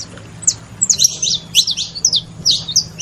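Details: Saffron finches give a busy run of thin, high chirps and quick slurred notes, with several birds overlapping over a steady low hum.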